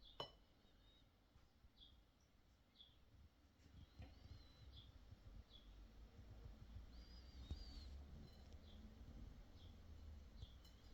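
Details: Cockatiel kept indoors, calling during breakfast with soft, high chirps repeated every second or so and a couple of brief twisting whistles, over a low room hum and occasional clinks of tableware.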